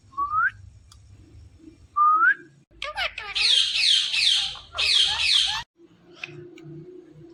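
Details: Indian ringneck parakeet, green talking parrot: two rising whistles, then voice-like chatter merging into two long loud raspy screeches, with low background rumble and faint murmuring afterward.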